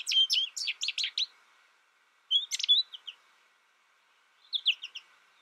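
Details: ['Isolated young American goldfinch learning song from a recording utters three separate bursts of high, rapid chirps and sliding whistles, each lasting about a second with silent gaps between.']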